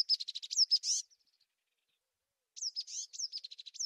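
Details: Dense, rapid twittering from a tit: quick alternating notes and slurred whistles in a busy run, a two-second pause, then another jumbled, chattering burst.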